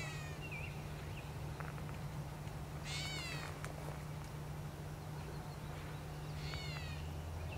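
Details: Gray catbird giving cat-like mewing calls, two nasal, slurred mews several seconds apart over a steady low hum and background noise.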